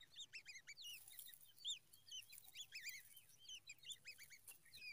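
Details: Babbler chicks begging for more food: a dense, continuous chorus of rapid squeaky chirps, each a short rising-then-falling whistle note, tumbling over one another without pause.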